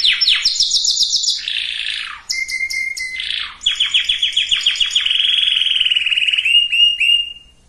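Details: Breeding-preparation song of a canary for males and females: rapid descending sweeps, a buzzy slide, high staccato chips over a low tone, then a long rolling trill ending in short upslurs.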